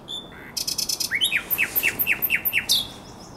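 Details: Common nightingale in April night song by the Żerań Canal, 2022: a quick buzzy stutter followed by a long string of sharp, evenly repeated down-slurred notes.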